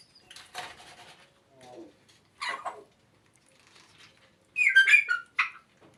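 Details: African grey parrots talking indoors: a string of varied, speech-like bursts, a low descending whistle, and sharp bright squawky phrases, irregular and clustered, with brief quiet gaps between utterances.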